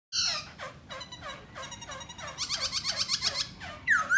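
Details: Black laughingthrush singing while dancing. A run of repeated downward-sweeping harmonic notes roughly every third of a second, then a faster series of bright, buzzy high notes, ending with a sharp rising whistle.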